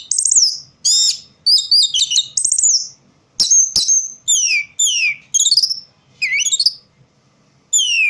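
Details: Orange-headed thrush keeps singing in poor light, alternating rattled chatter, fluid whistles and repeated steeply falling slurred notes, phrases spaced by short silences, ending after a longer pause.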